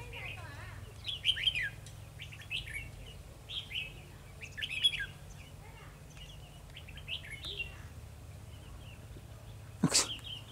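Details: Red-whiskered bulbul kept as a caged lure for trapping, 2 December 2020, pouring out a fighting song of lively slurred warbles in repeated bursts, with a sharp knock near the end and low background hum.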